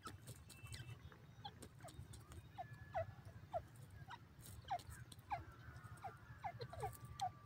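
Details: A wild grey francolin calling in the jungle gives short, sharp, downslurred notes repeated in a quickening series, over a steady low rumble of wind or distant noise.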